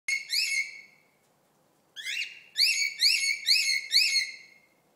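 A male cockatiel gives loud, harsh, rising whistled calls, repeated in quick bursts to attract females.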